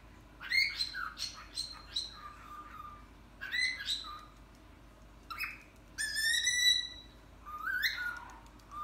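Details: Pet cockatiel repeating "Hare Krishna" in a string of clipped, speech-like whistled syllables. Rhythmic groups of notes rise and fall, with a louder harmonic-rich phrase late in the sequence; the indoor setting is otherwise quiet.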